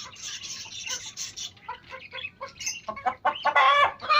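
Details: Pet hens meet young chicks, high shrill peeps overlapping short clucks that grow louder and busier toward the end.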